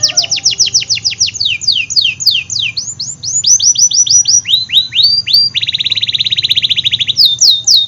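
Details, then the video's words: Canary of the AF type in lively song, used to stimulate canaries that rarely sing and youngsters: many rapid descending whistled sweeps shifting pitch, followed by a fast even buzzy trill and more sweeps. "Kenari Gacor Af , Pancingan Kenari Sulit Bunyi dan Kenari Paud"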